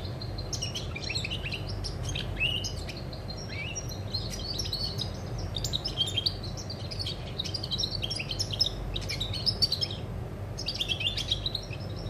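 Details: European goldfinch recorded 20 August 2020, singing lively phrases of tinkling twitters, short whistles and buzzy trills in clustered bursts with brief gaps, over constant low background noise.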